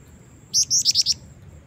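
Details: Calling female black-winged flycatcher-shrike, used to entice a male: a fast string of five piercing high notes, the first ones longer, over a low background drone.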